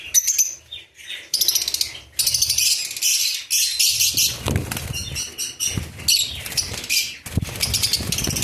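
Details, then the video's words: Lovebirds giving choppy bursts of shrill chattering, broken by frequent pauses, mixed with wing flapping and soft knocks. "love birds"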